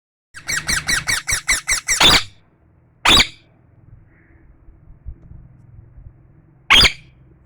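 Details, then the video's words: Tame parrot indoors giving a fast series of about eight harsh, rasping chirps, then two louder single squawks spaced a few seconds apart, with quiet room noise between. "Parrot chirping"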